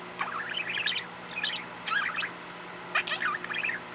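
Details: Male pet budgie chattering indoors: four quick bursts of warbling chirps and twittery trills, each under a second long and separated by brief pauses, with a faint steady background hum.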